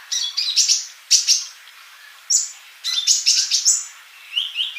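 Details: Male Van Hasselt's sunbird in full song, a tutor recording for mute young birds. Clusters of shrill, high chirps and buzzy twitters come in short groups, ending with two lower, rising whistled notes.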